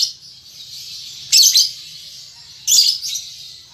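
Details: Baby lovebird practising ngetik and ngekek chattering. A soft continuous hiss-like twitter is broken by two loud, harsh, buzzy chirp bursts, with a faint low hum.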